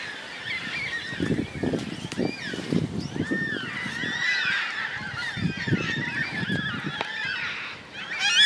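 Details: Large flock of yellow-tailed black cockatoos giving many overlapping drawn-out wailing calls, with repeated low thuds and rustles nearby and a louder burst of noise at the very end.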